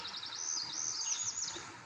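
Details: A newly arrived Northern Parula sings an unusual high, buzzy song: fast rasping trilled notes rising and wavering briefly at the end, the beginning somewhat like a Cerulean Warbler; faint background hiss.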